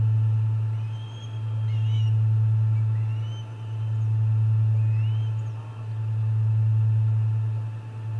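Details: Osprey at the Charlo nest, 29 August 2021: faint upslurred whistled calls repeated about every two seconds, partly masked by a steady low electrical hum.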